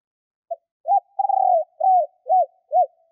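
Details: Female decoy spotted dove calling to lure males: a short series of soft, low, arched coos, one drawn-out rolling purr in the middle, then three evenly spaced rounded coos, with a clean, quiet background.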